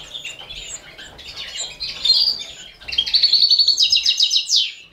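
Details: Four canary chicks fed by a Balkan goldfinch in captivity: soft twittering gives way to an intense, fast run of high, evenly spaced begging chirps that ends in a rising sweep.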